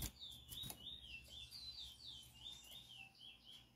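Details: Chestnut-bellied seed finch, a selected singing bird of marble colouring recorded close up, giving a fast continuous warble of high, wavering whistled notes, each swooping up and down, repeated steadily for several seconds over low background hum.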